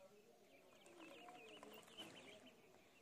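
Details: Peeping of ducklings in a pond: a steady run of high arched notes, several per second, forming an almost continuous twittering chatter over low background rumble.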